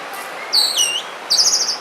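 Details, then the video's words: Oriental magpie-robin in a forest giving a short fragment of song: a high whistled note falling into a lower one, then a brief bright warble after a pause. "suara burung kacer di hutan"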